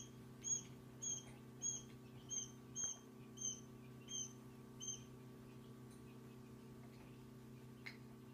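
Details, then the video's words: One-day-old quail chicks peeping: high thin piping notes, about eight in a row roughly every 0.6 seconds, then fading, over a steady low mechanical hum. "Wachtelküken 1 Tag alt"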